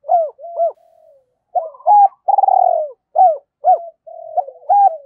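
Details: Decoy spotted dove calling to lure wild birds: short arched coos alternate with soft low murmurs and one long rolling, burred coo that sags at its end, then more clipped arched notes; nothing else audible.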